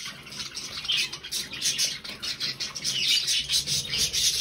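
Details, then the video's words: Three budgerigars, 20 November 2020, trading quick scratchy chirps and warbled notes in an almost unbroken stream, with louder rasping bursts toward the end. "Drei hübsche Wellis"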